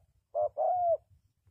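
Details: Single close phrase from a spotted dove kept to lure wild doves into traps: a short hoarse coo, then a longer smooth coo that slowly falls in pitch.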